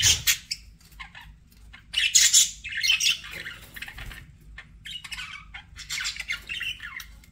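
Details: Pet budgerigars giving bursts of scratchy, high chirps and squawks, separated by short pauses and quieter warbling phrases, with a faint low background hum.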